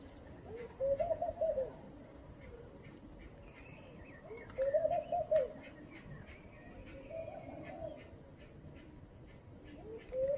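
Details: In the morning a laughing dove repeats short, bubbling coo phrases every three to four seconds, each a soft run of rising and falling low notes, while sparrow-like chirps and clicks sound faintly in the background.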